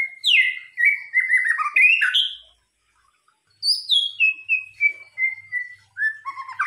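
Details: White-rumped shama lure song: rich, varied whistled phrases, some sliding down from high notes, others held and wavering, delivered in two bursts separated by a brief pause.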